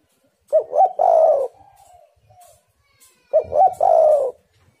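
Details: Spotted dove cooing as a lure for wild doves: two low, throaty three-part phrases nearly three seconds apart, each ending in a long mellow coo, with faint softer notes trailing between them.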